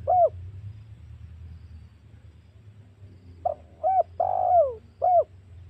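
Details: Spotted dove lure call meant to provoke wild doves for hunting: a single short coo, a pause, then a phrase of quick hollow coo notes with a longer downslurred coo, over a faint low hum.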